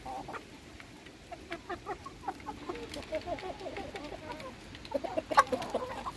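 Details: Hens being fed, a flock murmuring in soft rapid clucks and chatter, growing busier near the end with a few sharper notes and clicks.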